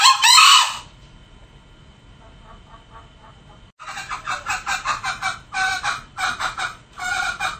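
A male junglefowl opens with a harsh, loud burst, then gives a run of hoarse, clipped crowing notes repeated about twice a second.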